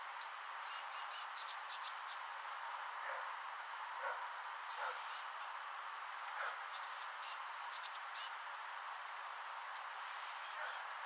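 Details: Eurasian blue tit chicks just out of the nest in a rowan tree, being fed by parents: rapid high thin chirps in short bursts, some sharp and louder, repeated irregularly throughout with faint background hiss.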